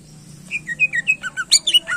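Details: Greater green leafbird song used to excite contest birds, a quick series of clear whistled notes alternating high and low, building into louder sharp slurred calls at the end.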